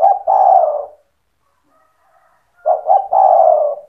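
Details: Spotted dove singing to goad rival doves: two phrases of clipped double coos and a long, rough, falling final coo, separated by about a second and a half of quiet.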